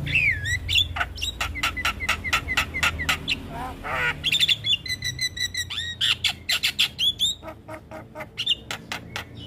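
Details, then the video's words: A young black-winged starling delivers a dense full isian song: rapid clicks and ticks, wavering whistles, a descending chattering trill, then repeated squeaky notes and fast rhythmic pulses near the end. "Masteran Jalak Kebo Full Isian Pas Buata Jalak Kebo Muda"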